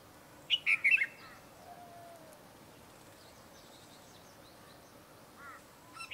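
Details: A Eurasian wryneck calling in Kashmir gives a quick run of four ringing, slightly nasal notes, then a faint pair of similar notes a few seconds later, over a quiet background hiss.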